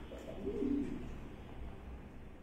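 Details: Magpie pigeon uttering a single low, soft cooing phrase of about a second, over a steady low background hum.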